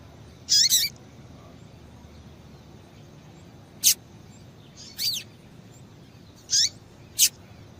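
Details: Female double-collared seedeater calling, a call used to stir males into song: five high chirps at irregular intervals, some paired or doubled, sharp clicks mixed with squeaky descending notes over low background noise.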